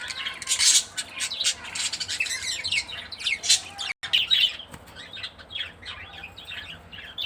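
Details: Female budgerigar during care time, giving a busy stream of soft chirps, warbles and scratchy chatter, dense and unbroken apart from a short cut near the middle.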